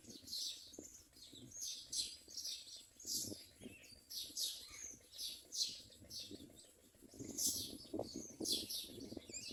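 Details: Common myna chicks in their nest keep up rhythmic, hoarse, high hissing calls, about two a second, that grow busier toward the end, with low scraping movement sounds.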